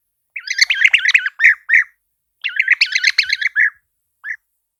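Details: European bee-eater giving its typical mellow, liquid, burry call: two bursts of rapid, rolling, throaty trilled notes, each about a second long and ending in short separate notes, then a lone final note, against a quiet background.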